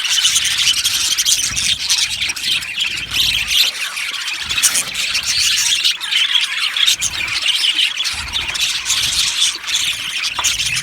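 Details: Flock of budgerigars in an aviary chattering nonstop, a dense wall of high, scratchy chirps and warbled twitters from numerous birds, loud and unbroken throughout.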